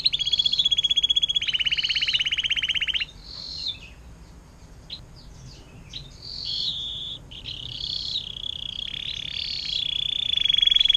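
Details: Atlantic canary in 'air mancuran panjang' song, a tutor recording for songbirds: loud rolling trill for three seconds, then softer varied twitters and chirps, before the bright trill returns.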